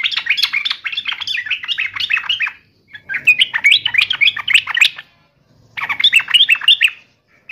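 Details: Yellow-vented bulbul singing eagerly to taunt a rival and draw a reply, three long runs of rapid bubbling, warbled notes rising and falling, separated by brief pauses.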